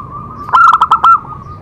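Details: Zebra dove singing to stimulate other doves: a single loud stuttering phrase of about five quick pulsed coo notes over a continuous soft purring tone.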